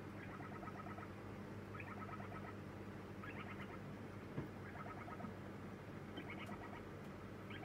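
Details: Lineolated parakeet nestling begging at feeding time on its second day in a new home: repeated clusters of fast, pulsed chirps, some rising higher, spaced about a second apart, with a low background hum throughout.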